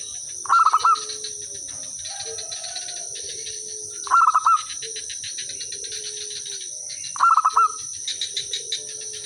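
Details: Zebra dove singing as a lure so other birds answer; three brief rapid stuttered coo phrases about three seconds apart, with softer low coos from other doves and a steady high insect drone.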